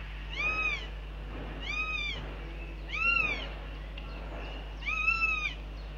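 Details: Northern goshawks at the nest on a live cam, 9 June 2021, at breakfast, telling off the male that dropped in; four drawn-out, arched, nasal wailing calls, each about half a second, spaced roughly every one and a half seconds, over a steady low hum.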